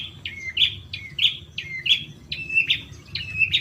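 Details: Long-tailed shrike lure song for stirring caged birds to answer; a rhythmic series of squeaky, scratchy notes, each linked to a short level whistle, repeated roughly every two-thirds of a second.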